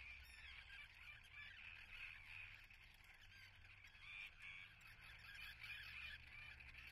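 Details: Nesting common terns at Atlit, Israel, on 10 June 2010, in a busy chorus of harsh, grating calls overlapping continuously at a fast pace, over a low rumble of wind or surf.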